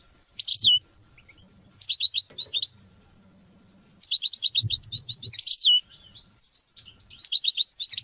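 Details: European goldfinch singing to teach and motivate hunting and mating: long runs of fast, high, tinkling twitters and buzzy slurred notes, broken by short pauses, lively and continuous through the second half.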